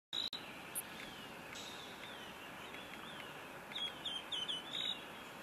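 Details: Pink Robin, an Australian robin of south-eastern Australia, giving a thin, high series of four quick, slightly falling notes near the end, after faint high notes earlier, over steady background hiss.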